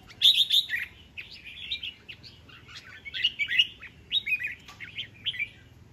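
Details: Red-whiskered bulbul used as a decoy bird, displaying, recorded 19 February 2023; bright warbled phrases in short bursts, several quick chirpy notes rising and falling, repeated in clusters across six seconds with quiet gaps and a faint low hum beneath.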